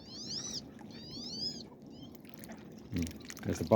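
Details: Wood ducks in a pen, described as really talkative lately, during the first snow storm of the new year, give thin, squealing whistled calls that rise and then slur downward, with soft knocking noises after.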